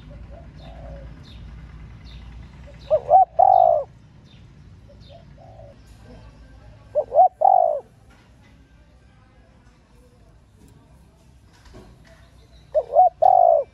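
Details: A female spotted dove calls to stimulate males. Three repeated phrases, each a pair of brief hooting notes followed by a longer falling coo, come about every four to five seconds over a quiet background with light chirping.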